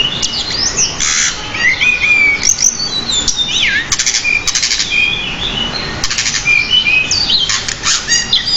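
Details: Pied bushchat singing non-stop with many varied phrases, used to train cage birds: bright whistled slurs, a descending sweep, rapid clicking rattles repeated several times, and thin high warbles throughout.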